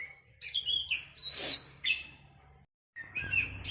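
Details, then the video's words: Oriental magpie-robin masteran paired with a sooty-headed bulbul for training kept birds. Softer, clear whistled notes, some rising and some falling, over faint low background noise, with a short silent break. "KACER VS KUTILANG || MASTERAN 2 MENIT LANGSUNG NYAUTTT"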